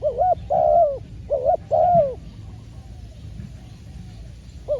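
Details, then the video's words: Spotted dove used as a decoy while trapping wild doves; a burst of mellow coos, short double notes followed by longer sliding ones, then a quiet pause with faint rustling and another coo at the end. "ต่อนกเขาใหญ่ พานกฝึก เจ้าอันาดามัน ออกฝึกเก็บเชลยแต้มแรกกได้สำเร็จเชลยเสียงเล็กคูดี"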